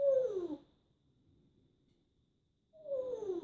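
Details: Adopted female parrot with plucked feathers, kept indoors, running through her sound effects: two whining, harmonic calls that slide downward, one at the start and one about two and a half seconds later, with quiet room noise between.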